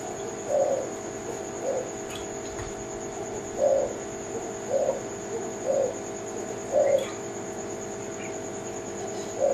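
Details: Low, rounded coos from a Kelantan-type spotted dove (tekukur) come about once a second in an uneven series, dominating the recording over a constant thin electronic whine.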